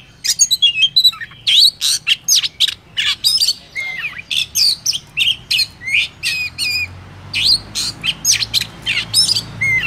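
Oriental magpie-robin singing a loud, rich run of clear whistles, rising and falling notes and scratchy chirps, delivered in quick bursts with almost no pauses.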